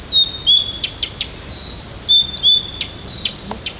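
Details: Songbird in the morning near Tomsk, Siberia, delivering varied verses: rapid high whistles and sliding notes mixed with sharp clicking ticks, phrases changing as it goes, against a faint hissing background.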